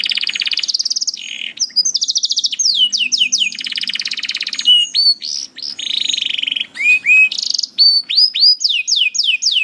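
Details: Tutor song of a canary for young birds and poor singers: long buzzy rattling tours, then sharp descending whistled sweeps and rising slurs, delivered in quick succession.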